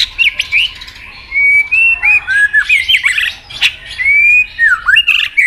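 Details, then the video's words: White-rumped shama in a singing contest, with a mix of long level whistles, downward slurs and brisk chattering notes delivered in quick varied bursts. "chòe lửa hót đấu đập đuôi căng lửa"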